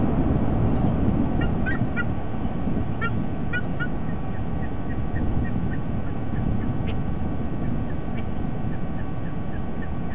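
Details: White-bellied sea eagle siblings fighting at their nest near the Parramatta River, Sydney Olympic Park, Australia, 20 September 2021. Thin, high chirps come in quick clusters, then a run of evenly spaced chirps, beneath a heavy low wind rumble.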